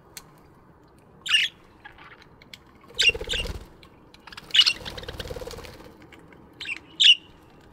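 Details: Chirping budgerigars in an aviary in the morning: scattered squeaky, warbled chirps with rustling or pattering noise in between.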